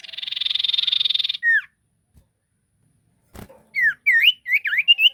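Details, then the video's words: Ashy tailorbird in full song as a lure recording: the end of a rapid buzzy trill and a falling slurred note, a pause with a click, then a quick run of sharp whistled notes that rise and dip. "Burung sirtu gacor pancingan Paling ampuh sirtu Jenis Apapun Pasti langsung nyaut"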